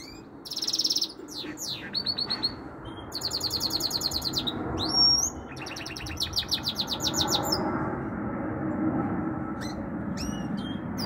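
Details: A singing goldfinch and canary hybrid, a bird said to sing all day long and to carry canary notes, gives scattered phrases of buzzy trills, rapid repeated notes and sharp high chirps against a constant low rumble.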